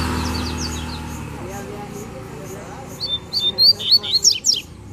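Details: Double-collared seedeater calling out from the wild ready to fight: after three quiet seconds with faint talking, a quick burst of high whistled notes and steep downslurred chips repeats rapidly to the end.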